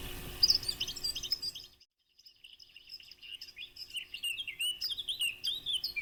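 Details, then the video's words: Eurasian blackcap singing a fast, varied warble of high, fluttering and rippling notes after a brief hiss of background noise and a short pause. "صوت التيان للصيد ابو قلنسوة // Blakcap bird sound"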